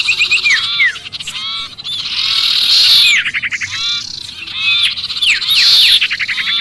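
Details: Lure recording of a sirpu distress call, as though trapped: fast harsh bursts of down-slurred squeaks and raspy chatter, several loud noisy peaks, and a persistent high hiss beneath.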